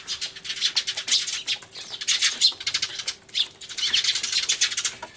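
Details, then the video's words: A flock of Eurasian tree sparrows crying hard in an uproar, filmed 24 March 2013 with an Everio camcorder and a turtledove present: continuous shrill, clustered chirping in waves, pausing briefly before surging again. "スズメの鳴き声（大騒ぎ！音量注意） Crying Sparrows"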